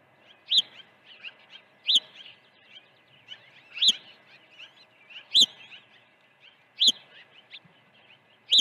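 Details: An osprey calls during an early feeding at a Dunrovin Ranch nest on 1 June 2019. Sharp high chirps recur about every one and a half seconds amid a busy run of softer chattering peeps.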